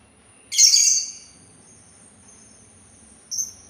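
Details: One harsh, scratchy note of about half a second from a Sultan tit, then a quiet gap and a brief thin high chip; a steady faint whine continues throughout.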